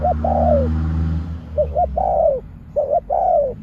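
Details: Decoy spotted dove delivering 'pak khruen' coos meant to draw wild doves down: three phrases of quick double notes followed by a drawn-out, downward-sliding hoarse coo, with a low steady hum early on.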